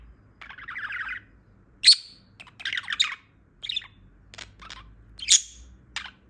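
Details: Just-awakened female budgerigar singing: a buzzy chattering phrase, a sharp bright squeak, more grating warbles and isolated clicks and squeaks spaced by short silences, otherwise quiet.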